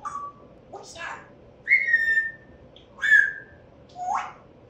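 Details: Talking African grey parrot kept indoors, during September 2024 word practice, gives four separate clear whistled notes, some sliding upward and others held flat, each about a second apart, in a quiet room.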